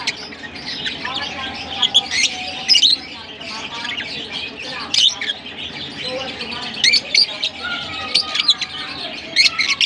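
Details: From Larkana, lovebirds chatter in a dense stream of high squeaks and twitters, with frequent loud, sharp chirps scattered throughout.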